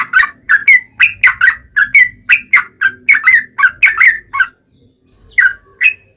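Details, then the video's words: Sooty-headed bulbul song used to draw replies from other bulbuls: rapid liquid whistled chirps in an uneven series, a brief silence, then a few more notes. "KICAU SUARA trucukan gacor ROPEL PANJANG pancingan trucukan agar bunyi MENJADIKAN trucuk gacor NYAUT"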